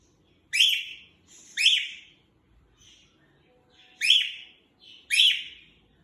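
A male cockatiel gives loud, rising, harmonic shrieks in spaced pairs, with soft chirps in between.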